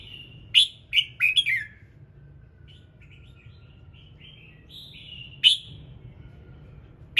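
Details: Red-whiskered bulbul morning song meant to trigger other birds: loud clipped whistled notes in a quick cluster, then a run of softer warbled notes, and further sharp whistles later, over steady low rumble.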